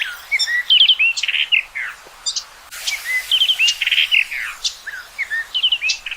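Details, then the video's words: Two bright, fast phrases from a common rock thrush, each a chattering mix of whistled upslurs, buzzy stacked notes and quick trills, separated by a short pause. "Canto do Tordo Das Rochas Comum ou Tordo de Rabo Ruivo"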